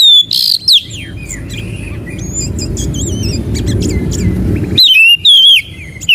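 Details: Oriental magpie-robin (kacer) song used as a lure and tutor recording for kept birds: loud, clear, high whistled phrases with slurred, trilled and falling notes in bursts at the start and end, with a steady low rumble through the middle.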